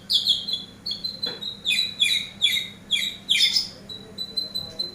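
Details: Eurasian tree sparrow as a training master bird: short, bright chirps repeated about twice a second in an even series, some doubled, ending with a few thin, steady high notes.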